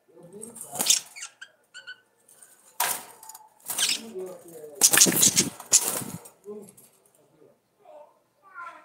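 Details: Rapid budgerigar chatter: harsh broadband rasps alternating with short nasal harmonic warbles and brief squeaky whistles, in an uneven twittering stream.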